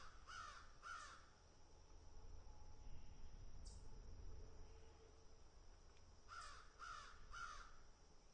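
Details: Crows picking and eating give two harsh caws close together, a long pause, then three more in quick succession, with a steady high insect-like hum running underneath throughout.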